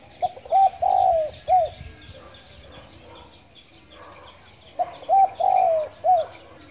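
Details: Spotted dove calling in the morning: two matching phrases about four and a half seconds apart, each a soft lead-in, a short coo, a long descending coo, and a final arched coo, over faint background noise.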